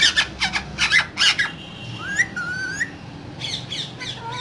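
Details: A pair of green parrots talking in their cage: loud raspy squawks come in quick bursts, followed by two clear rising whistles and more scratchy squawking at the end.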